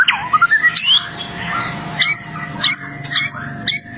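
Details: White-rumped shama song used for training captive birds, 2024: loud whistled notes rising and falling, with abrupt sharp chips. A steady low hum and a faint room-like background run underneath.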